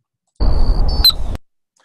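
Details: Male Anna's Hummingbird courtship dive: after climbing about 100 feet, it dives at high speed past a perched female, making a thin steady whine, then one sharp explosive squeak near the end, over heavy low wind rumble.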